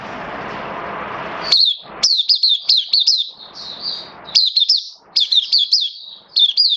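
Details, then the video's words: Oriental white-eye kept as a hobby bird in Singapore, singing on 11 September 2022: after a noisy start, sharp high down-slurred chips come in quick clusters with brief pauses between them. "Mata Puteh Kitaro Buka Sing"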